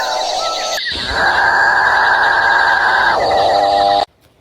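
Capuchinbird giving a long, droning, cow-like moan that holds steady for about two seconds, then drops lower before cutting off abruptly.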